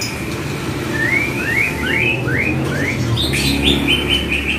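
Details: White-rumped shama training song: a series of upslurred whistles about a third of a second apart, then a quick high trill, with a low rumbling background.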